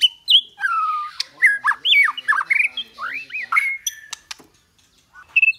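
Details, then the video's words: Training recording of a White-rumped shama's kéo thuốc lào and giọng dây song: a loud whistle, then a tumbling run of sliding, upslurred and downslurred notes with scattered clicks, fading into quiet. "Luyện chòe lửa hót hay mỗi ngày ❣ kéo thuốc lào ❣ hót giọng dây"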